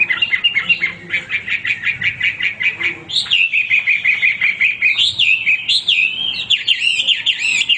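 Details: Hwamei in continuous song, opening with a fast, even stutter of short whistled notes, then switching to loud, sweeping whistles that climb and dip.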